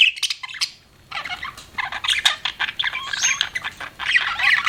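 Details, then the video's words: Budgerigar chirping in a short burst, a sharp opening tweet, a second of quiet, then continuous scratchy chatter with fast rising and falling squeaks. "BUDGIE CHIRPING SOUNDS"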